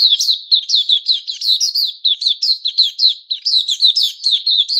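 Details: Caged white-crowned shama in moult with new feathers, recorded 6 September 2021, pouring out a fast, unbroken stream of bright whistled and chattering notes with sharp upward flicks.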